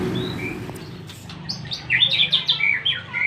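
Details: White-rumped shama singing a varied run of short chirps and slurred notes that grows louder and quicker toward the end, over a low background hum.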